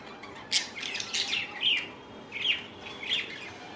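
Young budgerigars give soft, scratchy chirps and squeaky warbles, several overlapping in quick bursts.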